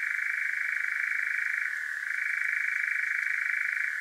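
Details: Night-time churr of a European nightjar, Devon, South West UK, parabolic microphone and Zoom H5: a loud, continuous mechanical rattle holding one pitch, with a single short dip near the middle.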